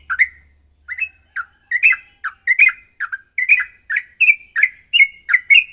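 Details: Aggressive fighting song of a yellow-vented bulbul, used to goad another bird into song. A short pause opens it, then clipped, squawky chirps come quickly, some paired, rising toward the end. Background is quiet.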